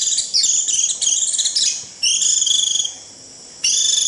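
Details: Flock-summoning 'rít' of a white-eye: a quick jumble of sharp high chirps gives way to sustained shrill buzzy trills that stop briefly and start again.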